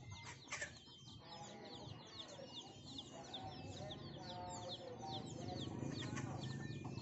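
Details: Many hens and many more chicks feeding on young rice given by farmers: soft hen clucks under dense high chick peeping, with a steady low rumble beneath.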